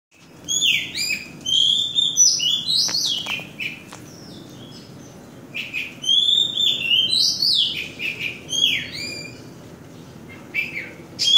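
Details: Oriental magpie-robin singing in Kota Kemuning, Selangor, Malaysia, 2017: a varied run of clear whistled phrases, rising and falling slurs and bright sweeps in quick succession with short pauses, over quiet background.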